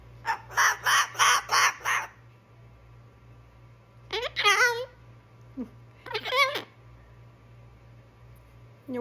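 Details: Pet male cockatoo vocal warm-up: five loud, harsh squawks in quick succession, then a pause and two softer, wavering, voice-like calls, with a low background hum.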